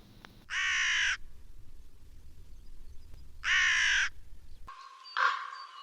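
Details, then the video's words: A hooded crow, a bird that stays through the winter rather than migrating, gives two long, harsh, raspy caws about three seconds apart, then a shorter, rougher call over a faint background hum. "давайте з вами послухаємо як кричить ворона"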